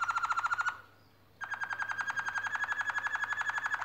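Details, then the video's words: Canaries building a nest sing a fast, steady trill of repeated notes, briefly breaking off into a pause before resuming a second, brighter rapid trill, with a low steady hum throughout. "canarios haciendo el nido y cantando"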